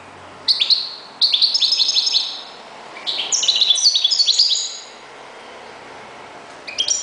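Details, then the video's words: Kept goldfinch used as a reclamo bird. It sings three quick runs of sweet, tinkling, chattering notes, each under a second to one and a half seconds, followed by silence and a final brief flourish. "jilguero.uno de mis reclamos"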